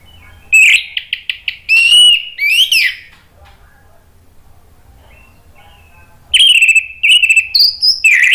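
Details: An orange-headed thrush pours out varied loud song, used to coax other birds into singing: quick clipped notes and rising whistles, a long pause, then another burst of slurred, warbling whistles.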